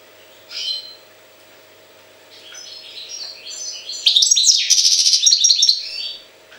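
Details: Goldfinch recorded in Jagodina: an opening chirp, a pause, then rising twittering that swells into a loud, rapid run of crisp clicks and buzzy trilled notes before stopping abruptly.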